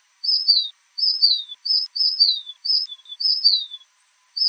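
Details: Fulvous shrike-tanager (sauveiro-do-norte) from Brazil singing: clear, high whistled phrases that waver briefly and then slide downward. They come in quick succession, about seven in under five seconds, with short gaps between them. The background is silent.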